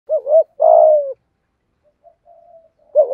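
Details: Spotted dove, a full calling, urging and cooing sequence meant to stir other doves into calling; a short double coo, then a long steady mellow coo, faint soft murmurs, and another double coo starting.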